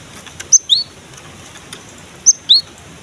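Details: Cinereous tit (gelatik batu) song used to get young birds singing: two identical phrases, each a high piercing whistle followed by a lower slurred note, roughly 1.7 seconds apart, over faint hiss.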